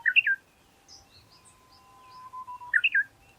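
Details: Japanese bush warbler: a short, rich warbled flourish, then scattered faint high notes and a long, even whistle that swells before a second bright, tumbling flourish.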